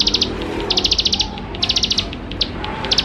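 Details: Persistent bar-winged prinia song for luring young prinias to sing soon: clusters of sharp, rapid ticking notes, high and bright, given in short runs of four to eight with brief pauses.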